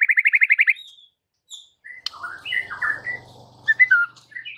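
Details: Fast series of about nine loud pulsed whistles from a white-rumped shama, used to goad rival birds, followed by assorted chirps, slurred whistles and a soft low hum beneath.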